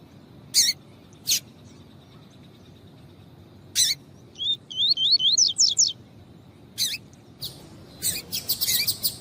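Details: Female double-collared seedeater, a bird kept by breeders for song tournaments, calling to excite the male: sharp, high, isolated chirps, a quick run of rising notes near the middle, then a denser chirping burst at the end over a quiet background.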